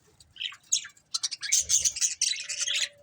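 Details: Breeding pair of budgerigars chirping: a couple of soft chirps lead into a dense burst of harsh rapid warbling chatter, ending with a thin steady tone.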